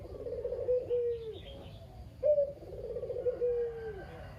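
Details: Chatty male Barbary dove kept at a family home, local kugeru type, coos played to stir other silent doves: two rolling, burbling coos, each finishing on a smooth descending note, faint background chirps between them.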